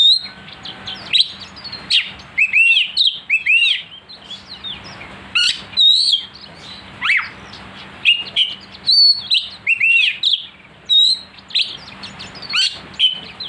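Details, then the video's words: Oriental magpie-robin song used as a lure to make a kacer bird agitated and sing aggressively: a steady run of loud, varied whistled phrases, sharp slurred notes and quick chirps, each burst separated by short pauses, with a faint steady low hum beneath. "pancingan Kacer agar emosi,pastol gacor suara pedas"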